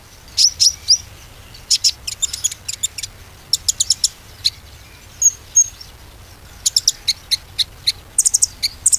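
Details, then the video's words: Bar-winged prinia song used as a lure to get silent caged birds singing again: high, sharp chirps and short trills in bursts, with brief pauses between phrases. "PANCINGAN KONIN ‼konin macet pasti gacor kembali"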